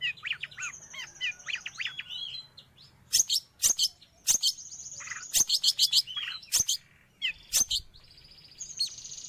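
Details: Long-tailed shrike song, used for training pet birds or luring wild ones: varied high chirps and sweeping whistles, then a run of sharp, loud clicking notes and a long thin high whistle near the end.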